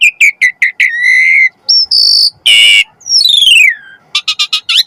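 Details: Asian pied starling in full, varied song, played as training and lure material for captive starlings: quick clipped notes, then a long steady whistle, a harsh rasping burst, and a sweeping falling whistle ending in short chips.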